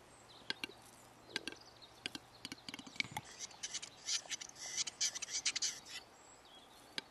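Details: A displaying male capercaillie gives sharp, dry clicks at an uneven pace, then a rapid burst of hissing, grinding scrapes before the clicks resume.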